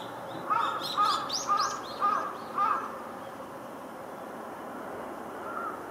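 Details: Dark-headed brown-headed thrush, thought to be subspecies orii, on 6 February 2023, gives five harsh, clipped notes about twice a second, then one fainter note after a pause, over quiet background hiss.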